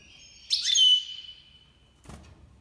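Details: Goldfinch Major, an Iranian goldfinch, in the 2022 breeding season: a loud burst of sharp twittering notes slides into a long, steady, thin whistled tone that fades out, then a brief soft rustle.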